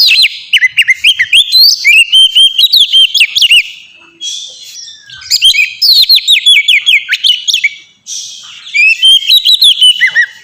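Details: Oriental magpie-robin, pet bird, sings 'ngeplong' song used to train birds: long runs of fast repeated whistled notes sweeping down, around two per second, broken by brief pauses.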